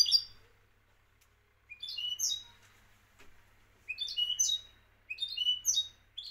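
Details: Goldfinch from Morocco delivering short phrases of tinkling, twittered notes separated by pauses of about a second, in quiet surroundings with a low background hum.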